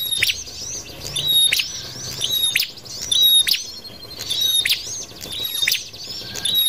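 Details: Prinia calling on a trapping lure track: repeated bright flat whistles around a crisp click, scattered with high twittering upslurs, phrases coming about once a second and slightly uneven.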